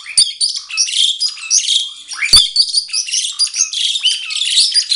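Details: A mated pair of captive-bred Asian pied starlings in Indonesia, October 2017, sing a busy, continuous duet of chattering, squeaky notes and rich whistles, high-pitched and varied, with a sharp click partway through.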